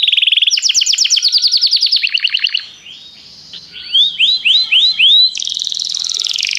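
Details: In song training, a canary calls a companion to sing with loud rolling trills and rapid repeated notes, a brief soft pause, then a few bright, looping whistled notes and a sustained high warble.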